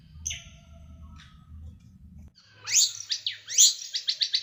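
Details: Small bird delivering a sharp, rough tutoring song. Faint high notes over a low hum are followed by loud rising sweeps and a quick series of clipped chips.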